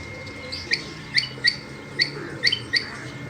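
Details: A female rain quail calls with short, clipped high notes repeated at slightly uneven intervals of about a third to half a second, over faint low background noise.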